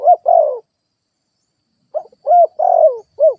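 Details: Cooing of a ground lure spotted dove: end of one phrase with a burry sliding coo, a short gap, then a full phrase of soft rounded coos, a long rough descending coo and a closing short coo.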